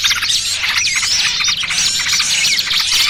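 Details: Small-bird trapping lure blending noisy trucukan with burcil kejepit: loud overlapping squeaky chirps and arched whistled notes pour out continuously, harsh and high, with a low faint hum below.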